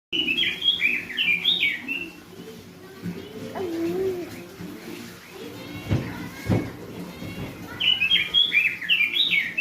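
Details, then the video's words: Orange-headed thrush song used as a lure for training a captive bird: bright, varied whistled phrases at the start and again at the end, with a murmur of voices and low room noise between. "burung robin gacor pancingan buat burung robin bahan"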